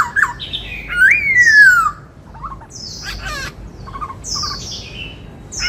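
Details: Caged white-cheeked laughingthrush singing in the style locally called 'bắt cô trói cột': a loud, slurred whistle falling from high to mid pitch, then scattered sharp chirps and short buzzy notes with brief pauses.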